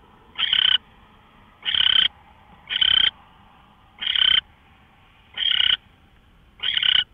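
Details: Owl from a live nest camera, early morning of March 24, 2013. Six coarse, hissy screeches repeat about once a second, over a faint steady hum.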